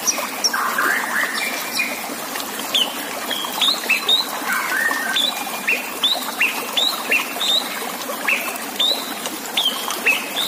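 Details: White-rumped shama song recorded as a master for song contests. Sharp up-slurred whistles repeat about every half second, mixed with lower warbled phrases, over a steady trickling water sound.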